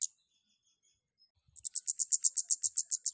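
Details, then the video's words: Long-tailed shrike in breeding condition: one sharp note, then about a second and a half of a fast, even, high buzzy trill. The trill repeats roughly seven times a second. "KEMADE GACOR NGLEPER OVER BIRAHI || PANCINGAN KEMADE AGAR BUNYI DAN EMOSI"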